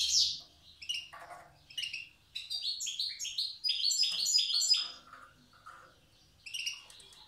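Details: Old-style song from a wild goldfinch of Tiaret: a series of quick, bright chirps speeding into a run of rapid, liquid twitters, then scattered notes and a final tinkling burst.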